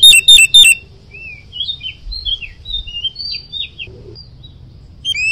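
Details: Oriental magpie-robin with 'ngoceh gacor' chatter: three loud, clipped notes open, followed by a string of soft, varied slurred whistles, and a fresh rising whistle at the end.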